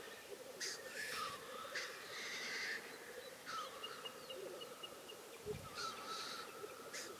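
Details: Black grouse at a spring lek in Karelia, Russia, 2016, bubbling in a steady, low, dove-like murmur, broken by sharp hissing sneezes every second or two, while thin whistles from other birds sound over it.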